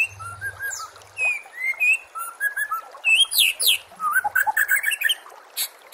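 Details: White-rumped shama song used as a training recording for songbird contests: varied whistled phrases, rising and falling slurs, and quick high chirps packed into a lively, continuous run with brief pauses.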